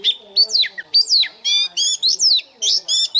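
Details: Morning voice-training song of an Oriental magpie-robin used as a lure bird to rouse birds quickly: loud, ringing repeated notes, some sweeping down steeply, others buzzy and stacked, delivered in quick bursts about every third of a second.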